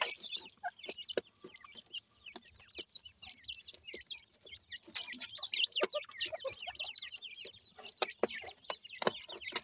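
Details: Feeding grey francolin chicks, known locally as dakhni teetar, give a busy chorus of high chirps and short peeps, with many sharp clicking taps scattered through and the chirping growing livelier toward the end.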